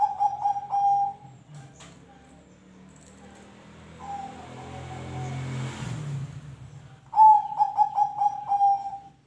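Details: Zebra dove song, played to coax other birds into singing: stuttered cooing bursts open and close the recording, with a passing vehicle's rumble and hiss filling the middle and a faint coo beneath it.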